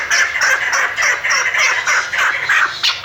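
Harsh, clucking chukar notes follow one another rapidly, about three per second, in a loud, raspy series with no other sounds.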